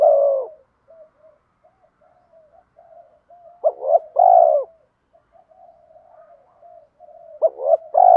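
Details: Spotted dove in bronze-voiced 'thúc gù kèm mắt me' style, a lure for wild doves; sparse loud coos at the start, middle and end, separated by long stretches of soft, quiet rolling purrs.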